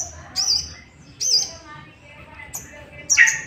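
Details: Sooty-headed bulbul lure song meant to provoke other bulbuls into singing: short bright phrases at about half-second and one-second spacing, with a harsher burst near the end; faint low hum underneath.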